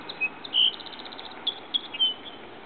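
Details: Song Sparrow (Melospiza melodia melodia), recorded 7 August 2012 or 8 July 2012, gives high, sharp whistled notes with a quick run of evenly repeated ticking notes partway through, over a faint steady hiss.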